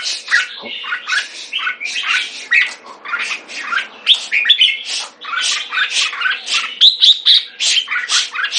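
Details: Captive red-whiskered bulbul in dense, energetic song: a rapid stream of rough chattering syllables with occasional clear whistled notes, barely pausing, over a soft constant background hum.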